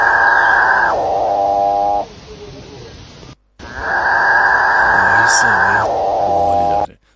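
Two long, droning, cow-like moans from a capuchinbird, each held for about two seconds before dropping lower, with a brief pause between them.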